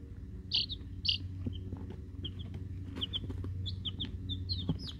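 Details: Week-old Rhode Island Red and Black Sumatra chicks, hatchery-bought: a few loud high chirps early, then softer short cheeps spread through the rest, over constant low droning noise.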